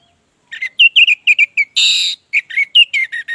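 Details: Orange-headed thrush singing as a lure to get silent birds singing: quick whistled notes in a steady series, a harsh buzzy rasp in the middle, then more slurred whistles.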